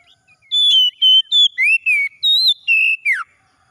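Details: Morning song of an Oriental magpie-robin. A quick string of pure whistles alternates high and lower notes, with a rising slur in the middle, and closes on a steep downward glide. The background is quiet.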